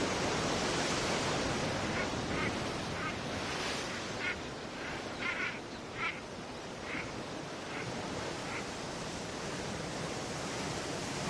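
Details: Common Shelduck on the coast of Île de Batz, Finistère, Brittany, in June 2012, giving a run of short, nasal, duck-like calls, roughly two a second, over a steady wash of surf.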